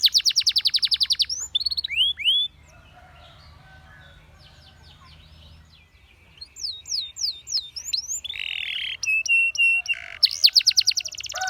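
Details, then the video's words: Canary song aimed at getting other canaries singing, opening with a rapid trill and slurred notes, a quiet pause, then resuming with repeated down-slurs, stuttering whistles and a buzzy roll. "Canary Seducing Friends to Sing!"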